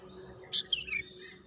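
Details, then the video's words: Birdsong amid green natural scenery: three quick, high chirps stepping downward in pitch within half a second, over a steady high insect drone. "bunyi kicauan burung"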